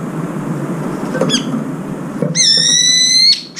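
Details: Brown-eared bulbul at a window feeder, where birds come to eat in twos and threes around the food bowl: a short high note, then a loud, shrill, level squeal held for about a second with rich overtones, over a low indoor hum.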